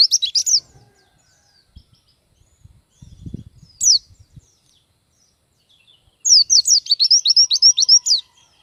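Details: Pleci bird, the Oriental white-eye, sings in bursts: a quick cluster of high downslurred whistles, a long lull with a lone note and faint thumps, then a fast rattling series of sharp falling notes.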